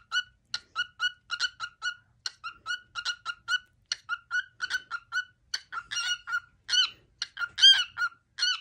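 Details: Cookie song sung by a pet male cockatiel as his daily favourite. Bursts of short piping whistles at one pitch build into louder swooping notes near the end. A person then praises him: good job, good boy.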